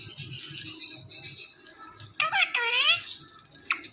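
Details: Pet Indian ringneck parakeet talking: a short burst of harmonic, wavering speech-like notes that rise and bend downward, after a quiet stretch with faint background murmur.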